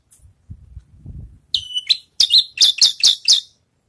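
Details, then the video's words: After its moult, a Javan bush lark rehearses song: a soft low rumble gives way to a run of sharp, high chirped notes, about six quick strokes in under two seconds. "branjangan selesai mabung latih bongkar lagu"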